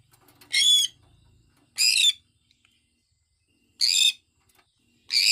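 A sun conure gives loud, harsh, screechy chirps, each short and spaced a second or two apart.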